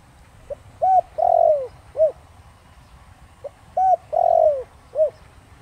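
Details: Spotted dove in the Thổ Đồng style calling to lure wild doves: two matching phrases about three seconds apart, each a faint note, an arched coo, a long falling coo and a short final coo.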